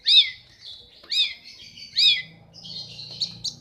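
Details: Long-tailed shrike in breeding condition singing: three loud, harsh upslurred notes about a second apart, followed by softer high thin twittering.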